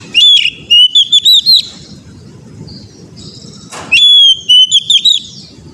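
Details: Oriental magpie-robin song for training young birds to sing: a loud whistled phrase of sliding and stepped notes, repeated after about three seconds, with a faint hiss between phrases and a low rumble beneath.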